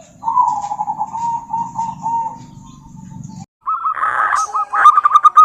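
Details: A local female zebra dove calling a rival, giving a long wavering coo over low hum, a short silence, then a quick series of staccato coos with a few sharp notes.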